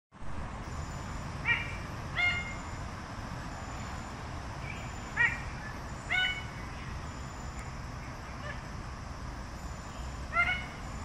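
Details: Red bird-of-paradise giving short, harsh, nasal calls, spaced a second or more apart, with a few softer notes between them, over a steady low hum and a thin high whine.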